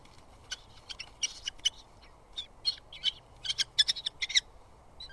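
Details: Two Eurasian hobby chicks at a live-watched nest in southern UK squabble over food as their father arrives with moths: bursts of sharp, high squeaky chips and scratchy notes, irregular and clustered, with quiet low background rumble.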